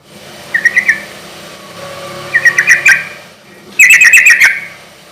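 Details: Yellow-vented bulbul singing to stir up and call out rival bulbuls: three bubbly warbled bursts that grow longer and louder, the last a fast string of about six notes, over a faint hum.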